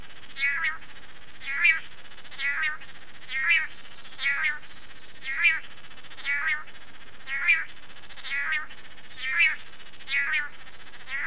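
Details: Long-tailed manakin during its courtship dance in Costa Rican rainforest: a steady series of nasal, harmonic calls, about one every second, each a short burst with stacked overtones, over a low, constant forest hum.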